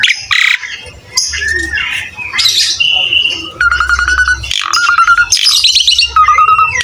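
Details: Asian pied starling (jalak suren), a prolific singer on a cage-bird training recording, mixes harsh squawks with clear level whistles and rapid buzzy rattles, under a faint low hum.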